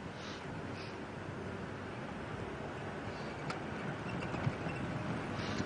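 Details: Steady engine rumble and wind noise fill the recording, with no clear animal call standing out.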